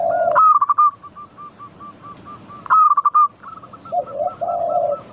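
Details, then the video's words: Zebra dove, a local bird, singing as a lure to prompt other doves: two loud phrases opening with a strong coo, then trailing runs of short soft notes, followed by lower warbling coos. "Pancingan burung perkutut lokal gacor - 100% bikin cepat bunyi langsung nyaut manggung"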